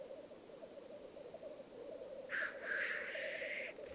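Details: Lekking black grouse males in the Alps of Piedmont, Italy, 2022: unbroken bubbling rookooing, then one drawn-out hissing sneeze near the end.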